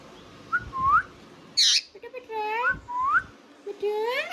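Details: Pet Indian ringneck parrot giving clear rising whistled notes, one loud hissy burst, then several upward-curving harmonic calls like speech-mimicking syllables.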